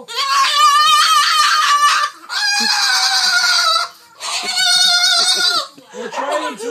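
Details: A pet cockatoo indoors gives loud, harsh, drawn-out screeches in three long bursts of about two seconds each, with short pauses between, as its owner complains it is being really loud while they try to watch a show.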